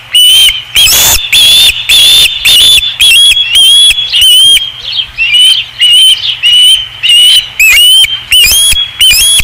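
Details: Osprey at the Dunrovin Ranch nest, 5 August 2016. Insistent high whistles repeat rapidly, some swept upward and some level. A few are doubled, and a broadband flutter sounds near the start.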